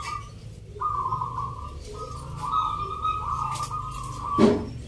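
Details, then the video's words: Local zebra doves sing in a Sunday rhythm competition in Yogyakarta, Indonesia, in Nglagu Ngepat Mentaraman style. One long, steady, vibrating coo trill dominates, then a loud thump near the end over low rumbling. "Pertarungan sengit Perkutut lokal irama 😱Suaranya ngerih"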